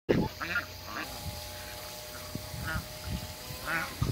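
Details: Muscovy ducks, two couples meeting on a farm of waterbirds: a few short hoarse breathy calls and low grunting sounds spread across the clip, with steady background hum.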